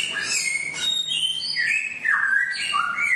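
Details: Songbird song played daily so caged birds learn wild song: clear whistled notes sliding up and down, with short rising and falling slurs and some thin high notes layered above, delivered in a continuous varied stream.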